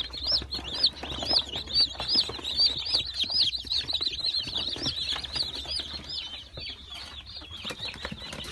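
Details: New Brahma chicks, recorded 22 April 2018 and waiting to be rehomed, peep together in a dense chorus of high, short, rising-falling cheeps overlapping constantly, with rustling and occasional wing flutter.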